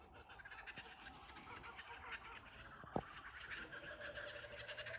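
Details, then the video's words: Chorus of kookaburras recorded from a cottage verandah at Ballandean; rough, layered cackling voices build up, with a sharp knock partway through. "Kookaburra sounds"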